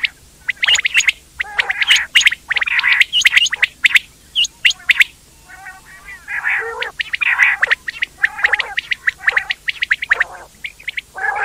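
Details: A group of quail keeps up continuous calling: rapid high chirps and harsh buzzy squawks, with a brief quieter stretch of soft, low, tonal notes midway.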